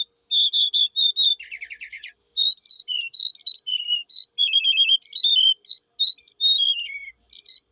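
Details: Eurasian skylark singing: a run of clear, whistled notes that jump between pitches, with a short buzzy trill near the start and quick, varied phrases after it. No other sounds are heard.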